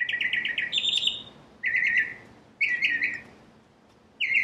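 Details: A fast trill of short whistles from a Northern cardinal, then a higher whistle, followed by separate slurred whistled phrases that drop in pitch, about one per second.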